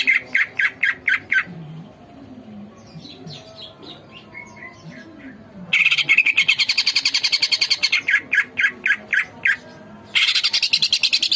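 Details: Greater green leafbird (cucak ijo) singing vigorously in a tutor recording for training birds: loud bursts of fast, sharply repeated high chirps, a quieter stretch of soft warbled notes, then dense rapid buzzy trills.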